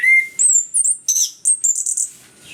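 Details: Orange-headed thrush (anis kembang) singing hard on a lure recording to make reluctant birds sing; a clear whistle, then a fast series of very high, bright whistled and trilled notes with tiny gaps.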